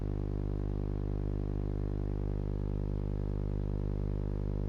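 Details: Continuous droning mechanical hum with steady low tones and no animal sounds.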